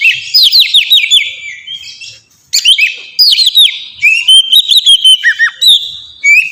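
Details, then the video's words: Song of an Oriental magpie-robin in 'ngeplong' style, meant to train pet birds to sing: quick descending whistled slurs, a gap, then more rich varied phrases with sharp high notes and a long steady whistle. "suara burung kacer ngeplong merdu sangat ampuh buat pancingan kacer bahan bikin cepat gacor"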